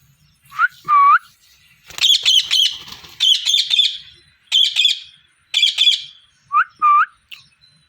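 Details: Parrot calling with harsh, rasping chirps in quick clusters of three or four notes, alternating with lower, clearer whistled notes that rise and fall. Pauses of about a second separate the bursts. Quiet rural background.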